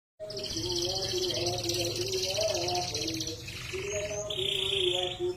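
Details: Caged canary singing a rich, continuous song of buzzy rolls and high twittering trills, shifting between fast repeated notes and sustained whistled tones, with a low hum and faint voices in the background.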